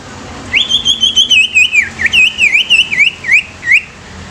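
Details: Greater green leafbird song used to get other leafbirds singing and agitated: a sustained, high whistled phrase of nearly four seconds, rapid warbles and sharp dips repeated several times a second, over a soft low hum.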